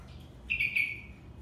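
A finch hybrid gives one clear, high whistled note, held about half a second with a slight waver, over a faint low hum.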